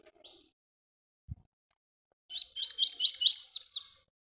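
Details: Song in the Tui Tui style, played to train young birds: a lone high whistled note, a pause with a soft knock, then a rapid string of rising whistled notes ending in higher buzzy slurs.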